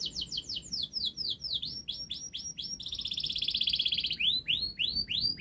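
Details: Prolific singing canary, used as a prompt for canaries that have stopped singing: quick series of bright downslurred notes, then a dense buzzy rolling trill, then more sweeping downslurs repeated about four per second.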